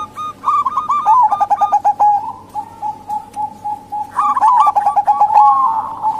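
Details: Local female zebra dove calling, used to lure male doves that rarely sing or wild doves; rapid staccato cooing trills in bursts, with several overlapping callers rolling into quick repeated notes.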